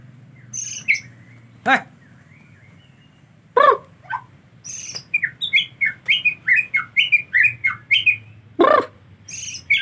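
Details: White-rumped shama during the rainy season, with bathing made difficult, singing a rapid series of short bright chirped and whistled notes that quicken into a steady run, broken by several sharp broadband knocks or splashes.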